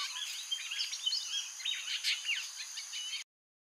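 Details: White-breasted woodswallows near Cairns, Australia give quick, overlapping chirps and short scratchy notes, as if several birds call at once, over a steady high hiss.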